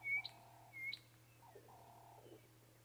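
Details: Chinspot Batis, the "breakfast bird", giving two short, clear high whistles about two-thirds of a second apart on a misty, peaceful African safari morning, over a low steady hum and faint lower sounds.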